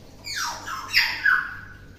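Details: Tame, talkative common hill myna kept as a pet in Indonesia lets out a harsh, raspy squawk in two bursts, the second trailing into a downward-sliding buzzy note, inside a quiet room.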